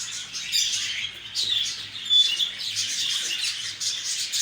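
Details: Lovebirds chattering: a steady wash of thin, high squeaks, with a few sharper whistled notes standing out above the flock noise.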